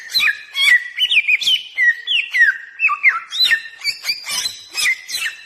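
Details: Bare-throated whistler, endemic to Flores and Sumbawa, singing a lure song: steady cascade of ringing whistled notes with sharp descending slurs and crisp clicks, fast and energetic throughout.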